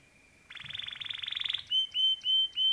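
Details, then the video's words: Male canary singing: a rapid buzzy trill of fast-repeated notes, then three or four separate clear whistled notes at a steady pitch. "Canary bird singing"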